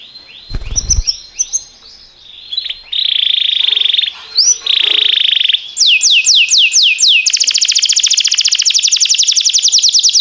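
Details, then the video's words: Canary training song, timbrado: soft whistled notes and a brief thump, then loud buzzy rolls, fast downswept notes and a long rapid metallic trill. "Cantar canário faz seu canário cantar"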